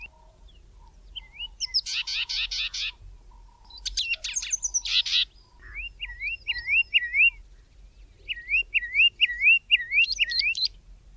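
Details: Grey Tit singing in the southern Karoo: rapid dry rattling trills and harsh buzzy notes, then two runs of four or five quick, wavering whistled phrases.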